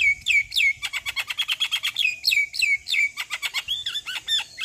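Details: A lively Javan myna song used as a lure for other mynas: fast repeated whistles that drop in pitch, packed with quick clicks and chatter, ending in warbling slurred notes.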